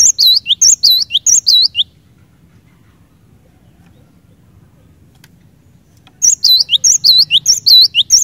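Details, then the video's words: Cinereous tit song meant to spark singing in other cinereous tits: a burst of whistled two-note phrases, a long pause of about four seconds, then the same high, bouncing couplets resume. "Kicauan Glatik Batu Gacor Ini Cepat Bikin Glatik Batu Lain Bunyi Gacor"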